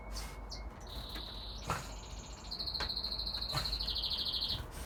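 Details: Young male red factor canary singing to impress his brothers and father: a steady high whistled note, then a fast, even, rolling trill near the same pitch, over a constant background hiss.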